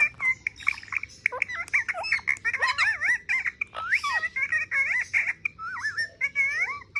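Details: Pet parrot busy with a mobile phone chatters nonstop: dense, varied whistled slurs, wavering notes and short squeaks, with hardly a pause throughout.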